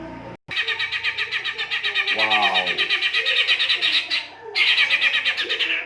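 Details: White-rumped shama in a rough-style song used as a lure to stimulate other birds to sing: a fast, harsh, buzzy chatter repeated about three times a second. A low, wavering, nasal note comes in midway.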